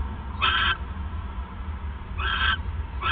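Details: ['Owl at night when the male arrives with a third mouse, 28 December 2014, 9:42 PM; two hoarse, breathy screeches about 1.7 seconds apart, a third beginning at the end, with low background hum.']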